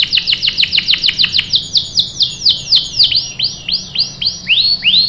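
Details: Canary, female in breeding condition calling the male: a series of high downswept chirps that start rapid and gradually slow, becoming longer arching notes toward the end, loud and clear.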